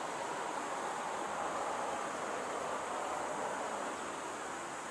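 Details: Constant rushing wind or surf-like noise, with no animal voice.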